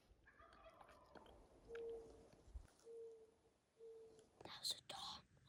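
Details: A distant Merriam's wild turkey tom gobbles, with faint rattling bursts in quiet woodland at the north rim of the Grand Canyon, Arizona, during a hunt; soft whispers and a closing rustle.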